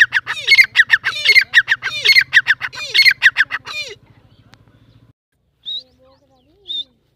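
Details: Male Irani or Dakni teetar, a francolin, calls beside a female. A rapid, rhythmic series of harsh rasping notes, each ending in a falling tone, breaks off into faint ticking and then two thin, high whistles.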